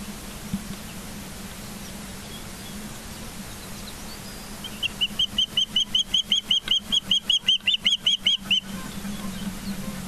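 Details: Osprey at its nest in Charlo, Montana, on 22 September 2023 at 10:30, picked up by a live nest camera: a steady run of about twenty short, high whistled chirps repeated evenly over four seconds against a constant low hum.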